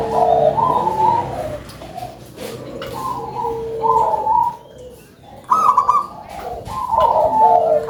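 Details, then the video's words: Zebra dove of local stock with a big voice, giving rapid rolling cooing phrases that start high and stutter, then sink into lower sustained trills, with other doves cooing behind and a brief quiet gap. "PERKUTUT LOKAL SUARA BESAR"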